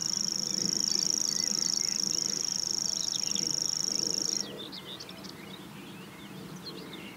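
A Common grasshopper warbler reels a high, even, insect-like trill for about four seconds, then stops, leaving faint chirps of other birds.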